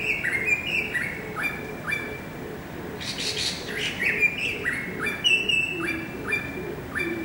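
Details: Greater racket-tailed drongo singing on 7 February 2018: a busy series of whistled slurs and chattering notes, with a burst of harsher noise midway and a bright ringing note later.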